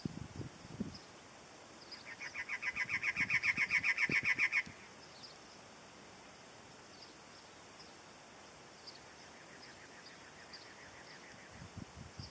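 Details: Cactus wrens, a pair answered by unseen wrens: a loud burst of rapid, raspy, evenly repeated notes lasting about two and a half seconds, later a fainter, distant run of similar notes replying, with low thumps at the start and end.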